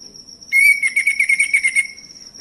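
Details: Male orange-headed thrush singing, played to stir other birds to sing: one sustained whistled phrase that breaks into a rapid warbling flutter for over a second, then fades, with a steady high-pitched hum underneath.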